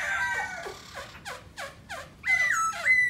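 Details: Black laughingthrush singing while displaying: a quick run of about six harsh, downslurred notes, roughly three per second, then loud, sustained ringing whistles to finish.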